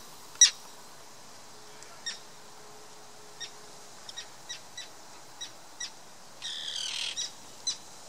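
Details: Common terns defending chicks on Tatyshev Island in the Yenisei, Krasnoyarsk, Siberia, June 2016, give sharp, high, clipped kip notes at irregular intervals, broken by one harsh, rasping burst, in a quiet, open setting.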